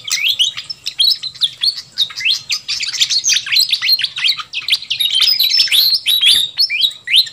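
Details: Fantail flycatcher lure recording for attracting wild birds: a busy stream of high, sharp chirps and squeaky whistled notes, overlapping and tumbling quickly with rising and falling slurs and no pauses.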